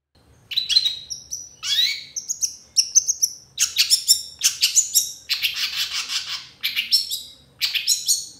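Long-tailed Shrike singing a fast, varied medley of high chirps, sharp whistles and scratchy bursts in short phrases, with no other sounds.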